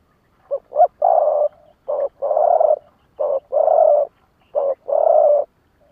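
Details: Captive Vietnamese spotted dove used as a decoy, calling in the 'lụp đờn cò' style to challenge wild rivals: low, hollow coos in four phrases, each a short note then a long sustained coo, roughly every 1.3 seconds, in a quiet setting.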